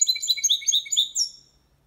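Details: Goldfinch × canary hybrid Malaga-style training song: a short burst of a few quick high twittered notes fading into silence.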